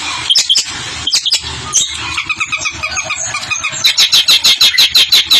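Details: Long-tailed shrike in a cage, dancing and singing a rolling song while teased with a finger: jumbled squeaky warbling notes, then a fast, even run of sharp repeated chips to the end.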